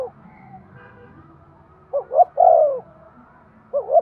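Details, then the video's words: Spotted dove coo used to stimulate breeding: one full phrase of two brief notes and a long descending coo, with the start of another phrase, over low background noise. "Tiếng chim cu gáy thúc gù cực đỉnh/ chim cu gay kich boi hieu qua"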